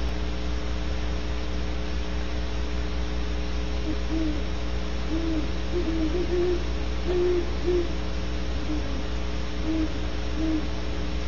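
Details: Deep, soft hoots from the nearest of several calling Great Horned Owls at Audubon Starr Ranch, California, near a Barn Owl cavity, around 13:51 GMT: a loose run of low notes over a steady electrical hum.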